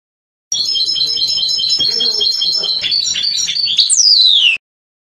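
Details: Trnan song by a European goldfinch from a 2020 CD, a continuous four-second run of quick, high repeated trill notes with brief variations, finished by a ringing whistle that slides steadily downward.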